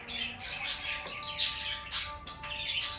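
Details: Lovebird singing and chirping: bright, scratchy high chirps in quick bursts roughly every half second, with a faint steady low hum underneath.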